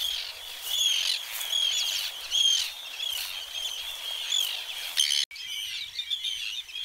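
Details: Arctic terns attacking a person by dive-bombing at Trékyllisvík, Strandir coast, Iceland. A dense stream of rasping, high-pitched cries and sharp squeals, several birds calling at once, broken by a brief dropout near the end.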